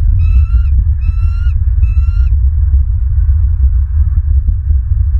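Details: Nest camera 3 at a Southwest Florida bald eagle nest, night of 25 November 2022, 21:09: three clear, nasal, slightly upslurred notes in quick succession, then only a constant deep rumble with faint ticking.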